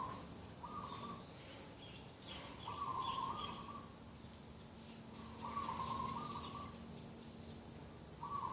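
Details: Dove calling in the morning beside a garden on 2 October 2021: short, flat, slightly warbled notes repeated every two to three seconds, with thin chirps from other birds above and a steady low background hum.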